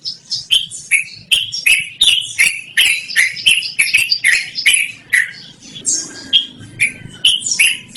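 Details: Loud, clear song of a yellow-vented bulbul (trucukan), suited to luring or training other birds; rapid series of bright, slurred notes around two to three per second, with a brief softer pause midway.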